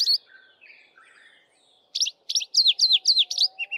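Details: A male Streaky-headed Seedeater singing in canary style from a bushtop in the dawn chorus: a quick run of high, slurred notes rising and falling, about four per second, after a few softer, lower warbles.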